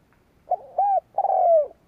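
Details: Spotted dove used as a decoy to provoke rivals, heard in a brief low coo, a rounded note, then a long mellow note falling at its end.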